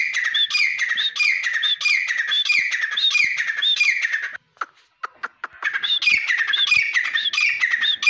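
Grey francolin giving loud, shrill, rapidly repeated phrases, about one and a half per second. After a brief pause of scattered clicks, the calling starts again.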